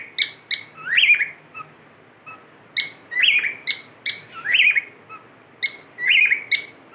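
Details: Pet cockatiel whistling indoors: short chirped notes alternating with rising, slurred whistled phrases, repeated in bursts roughly every second or two, bright and high-pitched.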